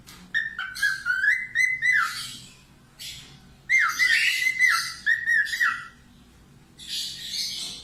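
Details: Budgerigar song as a cockatiel training track: rapid clicking chatter with wavering whistled notes in two long phrases, separated by silent pauses, and a final harsh buzzy burst.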